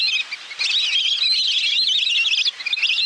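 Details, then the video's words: Little grebe call used as a lure to draw birds in quickly: a high, rapid, wavering trill that runs almost without a break for about two seconds, with a short quieter gap before the end. "เสียงนกเป็ดน้ำ ต่อเข้าเร็ว"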